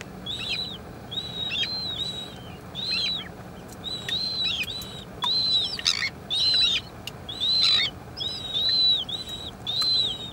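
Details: Slender-billed gulls, an adult and a chick, giving thin, high, arched whistled notes repeated about once a second, with some sharp broadband clicks and bursts between them.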